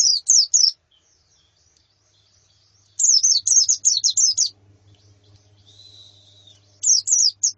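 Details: White-eye calls from a female and colony, used to stimulate a male to sing: bursts of high, sharp, down-slurred chips, one short and two longer runs, with a faint steady thin whistle between them.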